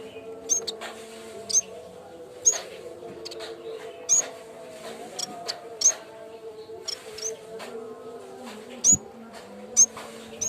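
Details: Yellow-bellied warbler (cikrak bambu) lure song for training: rapid series of sharp, very high ticking chirps, roughly one per second, some doubled, against steady low tonal background noise.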